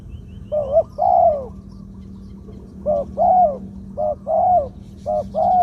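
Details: Spotted dove kept as a decoy bird, singing the two-note 'kuk khu-ang' style in a mid-pitched voice: a short rising coo followed by a longer drawn, falling coo, repeated in several phrases with pauses and a steady low hum behind.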